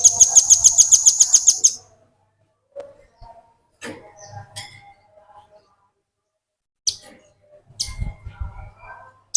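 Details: Velvet-fronted nuthatch in ngebren song, recorded to tutor other birds: opens with a quick trill of sharp high notes lasting nearly two seconds, then scattered faint chips and clicks.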